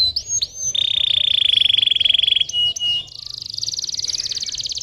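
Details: Canary song meant to prompt young or silent canaries into singing: quick upward whistled slides, then a long fast rolling trill held at one pitch, shifting to a higher, brighter rapid trill that repeats to the end.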